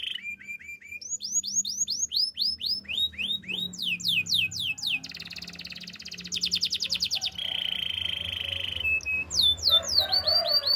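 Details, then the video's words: Training song of a canary: varied series of rising and falling whistled syllables, rapid rolled trills and buzzy tours changing every couple of seconds, a soft low hum beneath. "Bird sounds canary chirping! The best canary training song"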